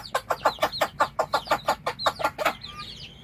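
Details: Mother hen calling her young to eat, giving a fast run of about a dozen evenly spaced clucks that stop abruptly, followed by faint high chick cheeping.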